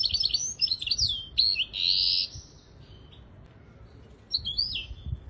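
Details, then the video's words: Misto hybrid canary song used as a training recording for young birds: bright high twittering phrases and a loud buzzy burst in the first two seconds, a quiet pause, then more rising whistled notes near the end. "شريط طائر الميستو الهجين للتحفيظ الفراخ"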